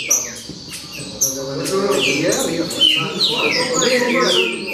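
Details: Baderna-style song of a green-winged saltator: after a quieter start with some human talk, a rich burst of overlapping downward-slurred whistles builds and continues densely to the end.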